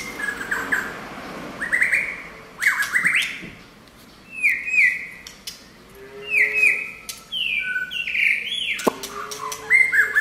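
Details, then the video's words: White-rumped shama singing clear whistled phrases, some steady and some slurred upward, mixed with harsher chattering notes, set against steady low background hum and noise. "shama นกบินหลาดง"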